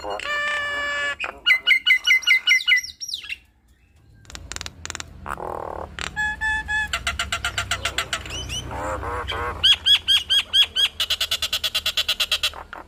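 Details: Nias hill myna in full chattering song that shows off its mimicked repertoire. Loud harmonic whistles, rapid buzzy stuttered series and bubbling warbles change abruptly every second or so, with a brief pause near three seconds.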